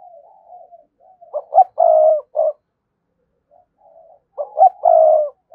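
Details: Spotted dove coo aimed at a rival: low murmuring, then a phrase of two brief notes, a long coo and a short tail note, repeated once more after a pause.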